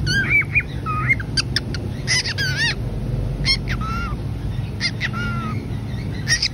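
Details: Pet cockatiels, a pair, calling back and forth while separated: repeated buzzy, wavering calls and short downslurred whistles in quick bursts, over a constant low rumbling background.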